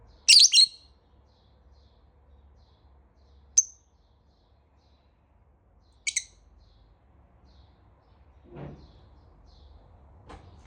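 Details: Morning calls from a lovebird: a shrill double squeak opens, then isolated sharp high chirps spaced a few seconds apart, followed by two dull knocking thuds near the end.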